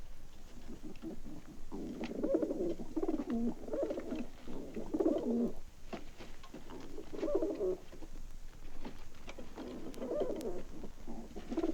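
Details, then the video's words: Pigeons give soft, low, throaty rolling coos in overlapping bouts every two to three seconds with faint hiss, a 1960s sound-effects record track. "Pigeons Cooing"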